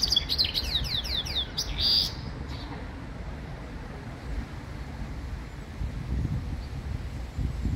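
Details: A goldfinch × female canary mule in a handmade acrylic cage sings a quick two-second burst of high twittering with rapid, falling slurred notes, then falls silent over a steady low rumble.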